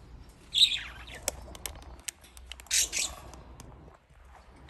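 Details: Pet budgerigars in Japan playing in water; two short buzzy chirps separated by sharp clicks and splashing taps, with quiet between.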